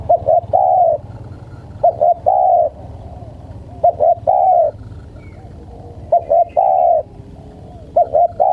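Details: Tekukur, or spotted dove, calling to lure wild birds. Steady three-note coo phrases repeat every two seconds or so: two brief notes, then a longer mellow coo, above a faint low hum.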